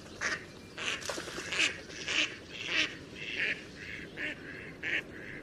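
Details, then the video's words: Several ducks at a pond calling over one another in a busy run of overlapping nasal quacks and honk-like notes, about two calls per second. "Duck Sound duckling in the pond -duck quack"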